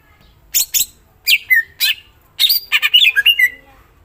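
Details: Greater green leafbird mixing harsh scratchy notes with downward-sliding whistles, then a fast string of chirps and warbled slurs in its full song.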